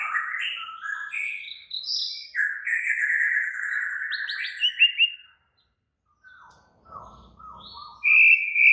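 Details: Excited, agitated white-rumped shama pouring out long continuous warbling song with slurred and sweeping whistles, a brief silence, then softer lower notes and a loud high whistled phrase at the end.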